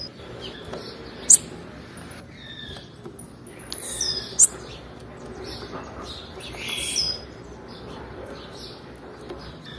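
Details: Blue-black grassquit female call, given to excite males: three brief, very high, thin chirps spaced about three seconds apart against a soft hissing background.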